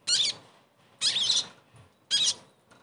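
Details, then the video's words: Ashy tailorbird (sogon), a caged bird, in a recording used as therapy to get a bird that has stopped singing to sing again: three short, high, squeaky, harsh bursts about one second apart, in a small room. "TERAPI SOGON MACET langsung GACOR DENGAR PANCINGAN INI"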